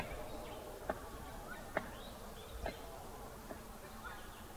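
Palm cockatoo drumming with a stick: four or five sharp wooden knocks, slightly under a second apart, over a steady low buzzing hum.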